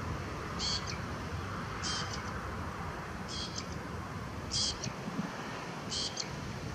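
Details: A lesser grey shrike at Salinas del Carmen, Fuerteventura, in 2018 gives short, harsh, chattering song notes about every second and a half over steady wind rumble.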